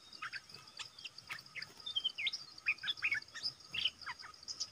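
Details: Red-whiskered bulbul used as a decoy, calling to lure a territorial wild bird: scattered short chirpy notes and brief rising whistles, some repeated in quick pairs, over steady insect hiss.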